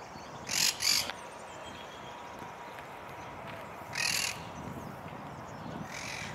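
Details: A monk parakeet, one of many birds feeding on flowers in trees in full bloom, gives harsh, grating squawks: a quick pair at first, then single screeches a few seconds apart, over a soft background hiss.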